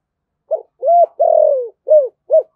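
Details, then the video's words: Spotted dove of thổ sấm voice style in rapid thúc gù cooing: five mellow hooted notes, a short one, then a longer coo, a drawn-out falling coo and two short closing notes. "cu gáy thúc gù/ cu gáy thổ sấm thúc gù và gáy gọi"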